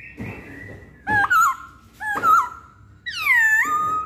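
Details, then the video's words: Masked laughingthrush (poksay hongkong) on a pancingan lure track: a long steady whistle, then two bursts of warbled whistles with rough edges, ending in a loud sliding, harsh downward call. "Pancingan Poksay Hongkong"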